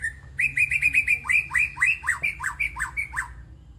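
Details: Legreg song of a young white-rumped shama taken from the forest: a fast, even string of short whistles that turns into steeper descending strokes, about four per second, fading at the end over a low background hum.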